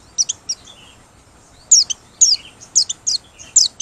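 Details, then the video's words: Open-beak song of a Merapi white-eye, useful for luring birds: thin, high chirping notes, a few early, then a lively series of short two-part phrases roughly twice a second. "Pleci Merapi Ngalas Losssdol,cocok buat pikat~pancingan || Buka Paruh"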